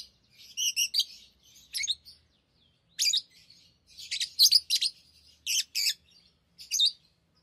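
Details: Pet lovebirds chattering with rapid, high, squeaky notes and short stuttered trills in quick succession, faint low rumble in the background.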